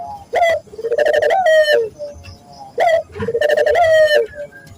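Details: Barbary dove coo used as a training lure for local doves: two full phrases, each a clipped rising note then a long throaty trill sliding slightly down, in a quiet room.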